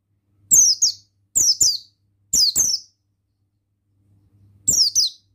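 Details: Oriental white-eye, male buxtoni form, heard as a stimulating lure for other males: four brief clusters of piercing high twittering notes, each sliding downward, spaced about a second apart, faint background hum.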